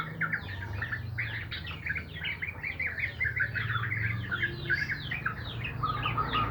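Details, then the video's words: Yellow-vented bulbuls in the morning: a continuous busy chorus of quick, bubbly chirps and short warbles, many notes overlapping, over a steady low hum in the background. "Burung trucuk senam pagi"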